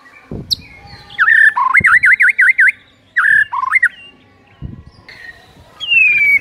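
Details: Caged white-rumped shama singing energetically to set other shamas singing: loud looping whistles rising and falling in a quick wavy run, separate short phrases, and a final long descending whistle, over faint low knocking.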